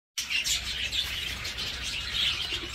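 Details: Breeding budgerigars, which started laying again once their chicks left the nest, chatter in a dense, continuous stream of high chirps and warbles, several birds calling over one another without pause.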